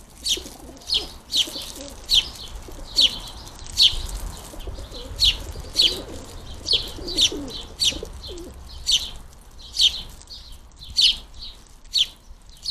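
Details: At a garden feeder, young house sparrows beg as adults feed them: insistent piercing chirps in a steady series about every second, over faint low cooing.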